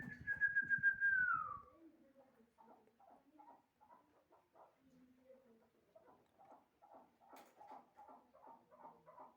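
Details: Hybrid chukar partridge: a loud, steady whistled tone opens, then a long run of short, clucking chuk notes follows, repeated about three times a second with some low voice-like sounds between.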